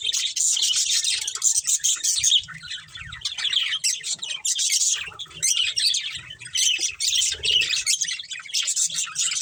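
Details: Breeding pair of budgerigars with family: lively continuous twittering in loud surges separated by brief softer gaps, a mix of squeaks, chirps and rasping notes.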